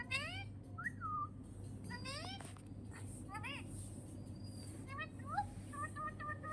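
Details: Parrot said to be a nonstop talker: bursts of voice-like syllables with stacked harmonics, swooping up and down, mixed with short whistled notes and a few quick paired whistles near the end over a steady low hum.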